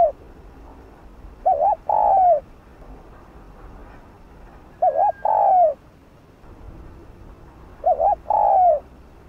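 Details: Bowing 'gù' cooing of a spotted dove, meant to excite captive doves to call: three phrases spaced roughly three seconds apart, each a short wobbling note followed by a longer, drawn-out coo that sags at the end.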